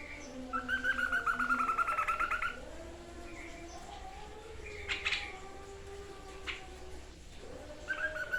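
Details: White-chested babbler, locally tepus dada putih or kalung kopi, in a songbird training recording: a fluttering whistled trill lasting two seconds, then scattered faint notes and a brief trill again at the end.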